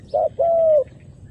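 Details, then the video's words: Single coo phrase from a decoy dove calling wild doves to land, both females and males. A brief note, then a longer, steady, slightly falling one. "ធ្នាក់ព្រិចហៅលលកព្រៃនៅលើដី ចុះទាំងញីចុះទាំងឈ្មោល"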